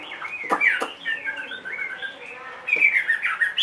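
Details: Caged adult Chinese hwamei, two and a half years old, giving a varied warble of sliding whistles and sharp clicks, quieter in the middle, then louder bright notes toward the close.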